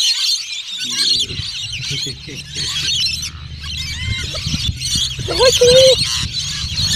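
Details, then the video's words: A wild rainbow lorikeet in Mackay, Australia, filmed in 2017 showing strange behaviour, chatters in a continuous run of harsh, high screeches and squeaks, with a brief whistled note near the end over a low voice-like hum. "Rainbow Lorikeet's Strange Behaviour"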